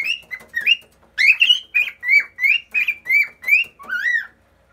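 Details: A singing pet cockatiel on top of a fridge, another cockatiel watching, gives a string of bright, rising whistles roughly two per second, ending in a longer downward-sliding whistle.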